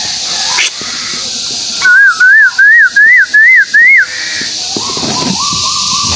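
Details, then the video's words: Malaysian white-billed tuwu bird call used as a lure: a run of six looping whistled notes, each slightly higher than the last, over soft background hiss, with other birds' whistles before and after. "Pancingan burung tuwu paruh putih malaysia"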